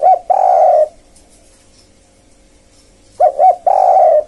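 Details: Spotted dove lure call for wild birds: short coos joined to long, buzzy sustained coos, separated by a quiet gap of about two seconds.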